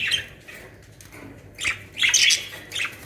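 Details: Captive budgerigars, a home collection of Australian parrots in Pakistan, give short harsh chattering squawks in bursts, loudest near the end, with quiet gaps between.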